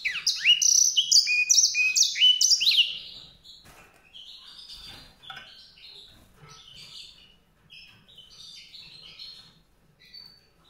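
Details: White-rumped seedeater giving a loud burst of rapid, ringing twitters and slurred whistles for about three seconds, then continuing more softly with scattered high warbling notes.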